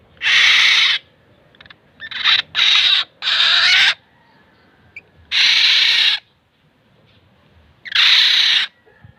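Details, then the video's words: Harsh rasping calls of a black-naped oriole (kilyawan): several broad, scratchy notes close together, then two longer ones spaced a few seconds apart against a quiet background. "SOUND OF BLACK-NAPED YELLOW ORIOLE/KILYAWAN"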